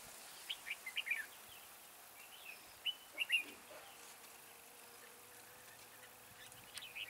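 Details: Decoy red-whiskered bulbul singing at a trap to draw in wild birds: two brief clusters of sharp, liquid whistled notes about two seconds apart, then quiet background hiss with a faint low hum.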